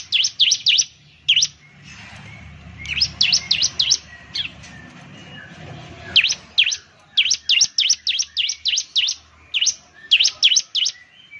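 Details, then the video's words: Ciblek song used as a lure: sharp high chirps in rapid repeated bursts of three to five notes, with a soft low rumble of background noise between phrases. "Suwara Burung Ciblek || Ciblek bird lures, the sound of the gacor immediately picks up"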